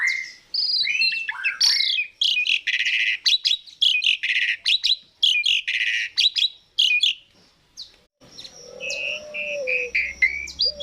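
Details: Asian pied starling song used as a lure to prompt other starlings to sing: loud chattering bursts of slurred whistles and harsh rasping notes in quick irregular phrases, ending with a steady low whistle beneath thinner notes.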